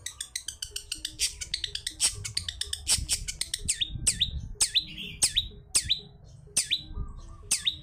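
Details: Long-tailed shrike (cendet) singing wild-style as a lure to set silent birds singing: quick volley of high ticking notes, slowing into evenly spaced downward-sweeping whistles about every half second, with low background rumble.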